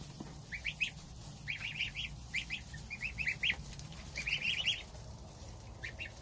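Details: Domestic goose goslings eating breakfast of starter ration beside the mother, father goose on guard outside; groups of bright, upslurred peeps in short rapid clusters separated by brief pauses.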